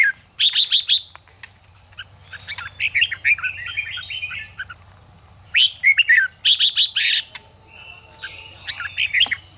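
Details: Red-whiskered bulbul song used to stir birds into fighting spirit for competition: bright warbled phrases of rising and falling notes in loud bursts, separated by pauses, over a steady high hiss and a low hum.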